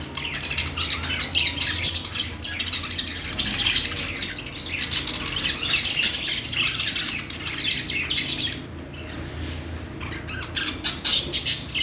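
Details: Budgerigars, the Australian parakeet, in a continuous busy chatter of high buzzy chirps and squawks from several birds overlapping with no pause, with a low steady hum underneath.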